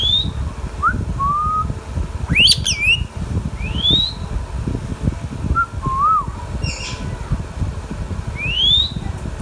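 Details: Indian ringneck parrot kept as a talking pet whistles a series of clear upward-sliding notes and short arched phrases, broken by one or two buzzy, wavering squawks, with a low steady hum behind.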